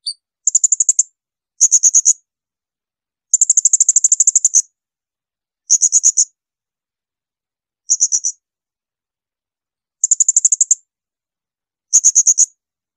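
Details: Blue-crowned hanging parrot producing shrill training bursts for songbirds: seven volleys of rapid, needle-sharp high pulses, one longer rattling run near the start, repeated about every two seconds in an otherwise quiet recording.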